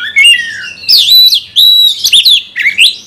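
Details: Caged Oriental magpie-robin, song to stir a fighting response: loud clear whistles held steady, with rasping squawk-like notes and quick upward slurs in short phrases.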